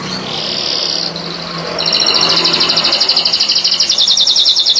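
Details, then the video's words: Yellow canary singing: a long buzzy trill, then a loud, fast, rolling trill of rapid repeated notes, bright and high-pitched throughout. "İnanılmaz sarı kanarya"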